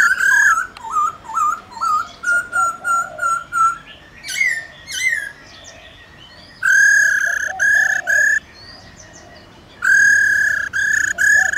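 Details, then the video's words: Wild-type laughingthrush song with a female calling: a run of clear, slurred whistles, several a second, followed by harsh, buzzy rattling bursts in longer bouts. "Khướu Hót giọng rừng RÉO GỌI BỔI KÈM KHƯỚU MÁI RO RO kích khướu bổi hót líu lo"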